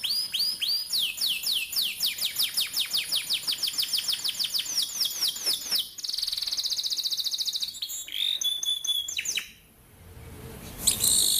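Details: Rolling canary song used to prompt young canaries to start singing: a long fast series of descending whistled sweeps that quicken into a tight roll, a brief buzzy trill, scattered chirps, then a short pause.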